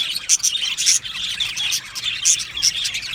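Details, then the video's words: Cheerful Australian budgies chirping together in an aviary, rapid high twittering punctuated by a few clear, piercing whistled notes that stand out above the constant chatter. "Happy Budgie birds chirping sounds"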